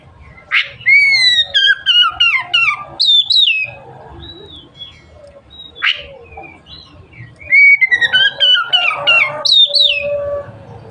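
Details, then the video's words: Oriental magpie-robin singing, a song said to stimulate other magpie-robins to open their tails: loud varied whistled phrases, sweeping notes and rapid buzzy trills in two bursts separated by quieter pauses. "suara burung kacer gacor merangsang kacer lain cepat buka ekor"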